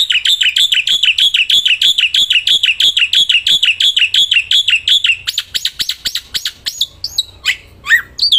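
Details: Kept black-winged myna singing without pause outdoors. A steady, rapid chatter of repeated metallic notes for five seconds breaks into sharp clicks and a few scattered whistled upslurs.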